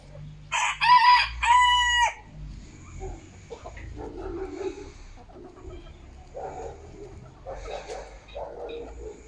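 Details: Backyard flock chicken recorded Monday, 10 October 2022, eight eggs collected that day. A short, loud, brassy crow in two bursts opens the recording, followed by softer low clucking and murmuring from the hens over steady background hum.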